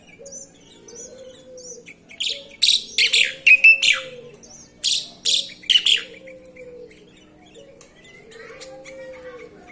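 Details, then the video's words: Sooty-headed bulbul delivering loud, sharp chirped phrases in grouped bursts, while a softer low note, rising then falling, repeats every couple of seconds in the background. "Burung Kutilang"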